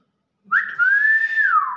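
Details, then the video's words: A captive, fairly old Nias hill myna, being coaxed to talk while it watches a bird flying past, gives a single loud, clear whistle that slides up quickly, holds a steady bright note for about a second, then drops away. "BEO NIAS SUARA ASLI"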